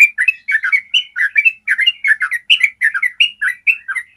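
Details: Yellow-vented bulbul ropel for training songbirds: a continuous stream of quick, warbling two- and three-note chirps, bright and clean, pouring out without a break for about four seconds.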